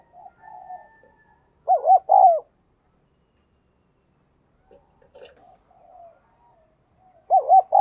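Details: Spotted dove lure bird giving soft coos and two loud bursts of arched, rapid hooting notes separated by a quiet stretch with a few faint murmurs.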